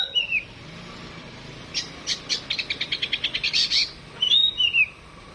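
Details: Home-raised captive Oriental magpie-robin (kacer) singing: a slurred whistle, then a fast rattling series of about fifteen sharp clicking notes, ending with bright downslurred whistles.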